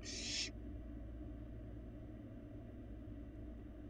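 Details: Barn owl fledgling eating inside an empty nest box on a live cam in Florida; a single harsh, breathy hiss of about half a second opens the clip, then only a steady low electrical hum remains.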